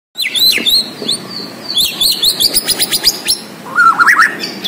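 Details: Bornean white-rumped shama in full song: loud ringing whistles and swooping notes, then a fast rattling series of sharp notes, ending in a lower warbled phrase.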